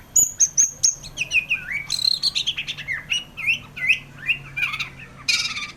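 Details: White-rumped shama singing in 'gacor' style. It opens with three pure high whistles, then runs into a fast medley of swooping, rising and falling whistled phrases, and closes with a harsh burst.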